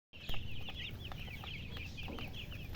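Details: Many baby chicks peeping at once: a dense, continuous chorus of short high chirps, each with a quick upward or downward flick, overlapping with no pause, over a steady low rumble.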